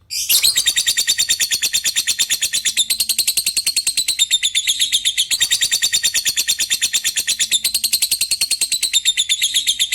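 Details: Lovebird calling an opponent with long 'ngetik' typing notes that run on into 'ngekek' chatter. A continuous high, rapid pulsed trill fills the stretch, with only two momentary breaks, delivered at a fast, even beat.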